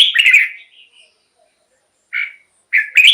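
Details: A red-whiskered bulbul gives a quick, bright warbled phrase, then soft trailing notes, a pause, and two sharp clipped notes; sound used to make caged birds excited or to lure wild birds.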